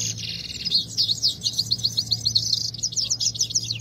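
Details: Himalayan goldfinch, known as saira, in a singing fight, giving a quick run of bright, repeated twittering notes, some ringing and metallic, at about four per second over a low background hum.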